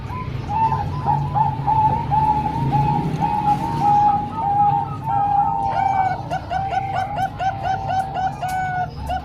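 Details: Zebra doves, Bangkok and local types, cooing to train young birds: long, unbroken string of soft rolling coos, joined near the end by sharp, rapid clicking notes and steady low hum.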